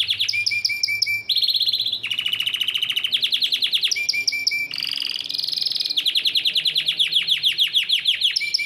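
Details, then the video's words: A yellow Belgian canary sings a varied song: quick repeated chirps, buzzy rattles and fast trills switching pitch every second or so. "Canário belga amarelo cantando muito"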